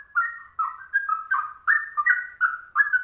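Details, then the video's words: Fast, unbroken ropel delivery of the rare trucuk song by a straw-headed bulbul: loud, mellow gurgling phrases burst out about three times a second, each sliding between two pitch levels. "Trucuk langka ropelannya cucak rowo"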